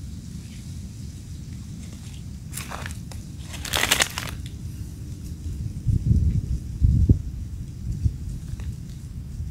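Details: Crunching, crackling handling noise with a burst of broadband crinkling near the middle over a steady low rumble, with no animal voice.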